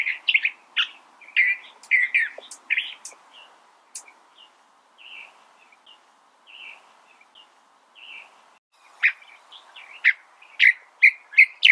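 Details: California thrasher song in bursts: a quick series of harsh and clear phrases, then a quieter stretch of soft, spaced notes, before loud varied phrases resume near the end.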